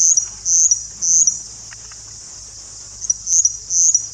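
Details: Russet bush warbler singing: high, dry, insect-like buzzy bursts, each about a quarter second, given in close pairs, a pause, then another pair, over a faint steady high hiss.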